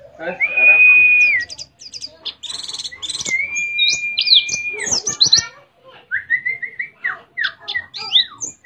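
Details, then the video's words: {'caption': 'Mount Ciremai white-eye in West Java giving canary-style song: scattered sharp high chirps and short trills mixed with two long level whistled tones and a few lower slurred notes.'} "Pleci Nembak Kenarian"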